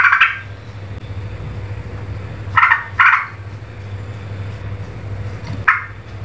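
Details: An agitated, worked-up streak-eared bulbul gives loud, noisy, harsh scratchy bursts, four in about six seconds, two close together, over a steady low electrical hum.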